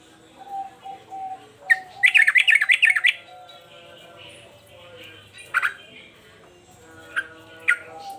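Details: Excited male sooty-headed bulbul, kept as a cage bird, delivering a fast rollicking run of wavering bubbly notes lasting about a second, followed by a few spaced sharp chips over a steady low hum.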